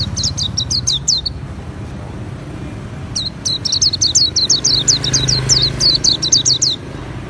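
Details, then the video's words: Pleci auri, the Oriental white-eye, sings ngriwik: a short burst of rapid high twittering, a pause, then a longer string of fast, thin, falling notes, with traffic drone beneath. "Pleci Auri Gacor Ngriwik Bongkar isian"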